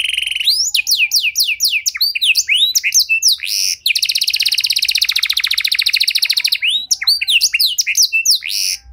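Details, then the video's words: Canary with a long, specially styled cengkok song for getting stalled canaries to sing: loud slurred notes, a long rattling trill, then more varied slurred phrases. "Kenari Gacor Durasi Panjang Cengkok Istimewa! Efektif Buat Memancing Kenari Macet Biar Gacor Kembali"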